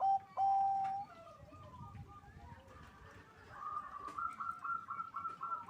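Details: Local zebra dove at a breeding farm in Bekasi, West Java, Indonesia, loud song meant to raise mating drive: one strong drawn-out coo, then softer, fast trilled notes building toward the end.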